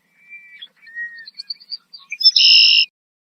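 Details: Agitated red-winged blackbird in a tree in Southern Ontario, Canada, alarm calling, perhaps to drive off an animal nearby; thin level whistles and scattered high ticks end in a loud, harsh, buzzy burst.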